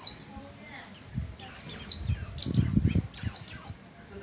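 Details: Buxtoni white-eye practising ngalas ngerol singing as a lure for other white-eyes: a string of high, thin chirping notes, each dropping slightly in pitch, delivered about three per second over a low background rumble.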